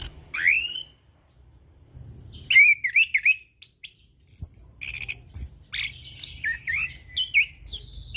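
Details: Orange-headed thrush, ngeplong-style song: loud rising whistles, then a rich, rapid run of slurred, warbling and chattering notes with short gaps.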